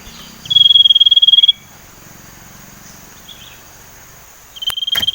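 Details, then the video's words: Young Sumatran leafbird learning to whistle: a short, high, steady whistle with a fine buzzy edge lasting about a second, then a pause and a brief sharp burst at the end. "burung sirtu ngeriwik belajar nyiul"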